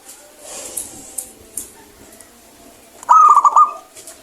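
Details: A clear-voiced local zebra dove in active song, played to prompt birds that are slow to sing. After faint background clicks, one short burst of quick, bubbling coos rings out near the end.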